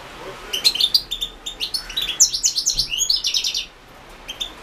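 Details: European goldfinch singing for the 2016 internet World Championship in Goldfinch Song; a quick string of bright, high, jingling notes and trills lasting about three seconds, ending in quiet.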